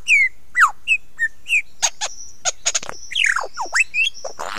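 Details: Close-up lyrebird song at 9 AM on 16 November 2022: clear whistled downslurs and short piping notes, then sharp cracking clicks and a long buzzy whine with falling sweeps.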